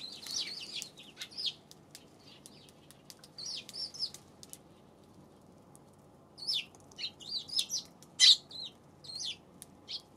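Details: Eurasian tree sparrows on February 7 chattering in short, sharp chirps, a flurry at the start, a quiet gap, then a renewed cluster of lively cheeps and a single loud snap near the end.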